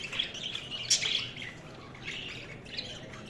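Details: Budgerigar chatter with bright, buzzy chirps and a sharp high squeak early on, then quieter warbling notes trailing off, over a low steady hum.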